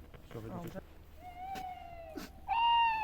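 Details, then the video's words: Male tawny owl answering call playback at night in February in Holosiivskyi National Park forest, Kyiv, during territory defence: a long, smooth, slightly falling hoot, then a louder, sharper note, after brief human speech. "початківцям завжди везе на першій точці відгукнувся самець сірої сови зафіксували"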